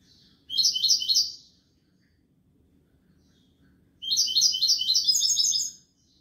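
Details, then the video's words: Goldfinch song of the Malaga type, two bursts of rapid, sharp, chattering trills about three seconds apart, silence between them. "تغريد الحسون كوبية ملقا canto chardonnert"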